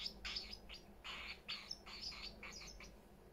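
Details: Parrots indoors make a quick series of squeaky chirps and short raspy notes, roughly three a second, with several birds overlapping.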